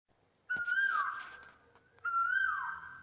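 Asian koel giving two loud, clear whistled notes about a second and a half apart, each holding steady then dropping at the end.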